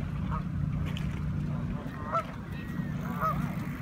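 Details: Flocking Canada geese in Toronto, Canada, honking three times, once near the start and twice in the second half, the last a doubled honk, above a persistent low hum.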